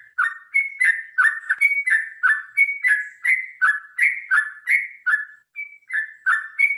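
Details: Extended fighting song from a sooty-headed bulbul, played to encourage birds to sing: a fast, rollicking chain of warbled, slurred notes with occasional higher bright whistles, broken by one brief pause near the end.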